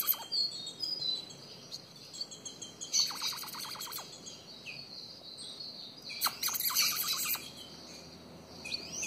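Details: A female Ultramarine grosbeak soliciting mating gives two quick volleys of thin, high chirps, each about a second long, while other birds trill softly in the background.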